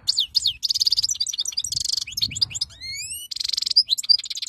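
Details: European goldfinch, wild type, in continuous rapid song: dense high twittering, buzzy rattles and a run of clear upslurred whistles, with a faint low rumble.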